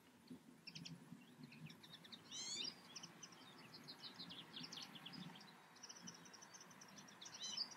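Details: European goldfinch recorded outdoors in the Eifel: scattered high tinkling notes and a couple of rapid rising trills, over a constant low background hum.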